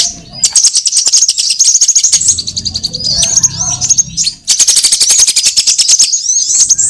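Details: Lure for catching sunbirds of every kind: fast rattling series of clicks under a layer of piercing high chirps, a short pause with low rumble, then the dense high chattering resumes.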